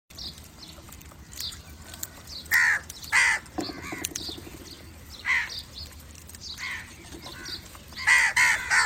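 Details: Crows calling to other crows: loud harsh caws in short bursts, mostly paired, around 2.5–3.3 seconds and again near 8 seconds, with fainter caws and small chirps from other birds between them.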